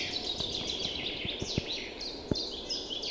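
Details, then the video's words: Chorus of birds just back in early spring, heard in April woods and meadows beside a river running high after the thaw. Dense overlapping high chirps and twitters run together, with scattered sharp clicks and a noisy background. "Songs birds in early spring."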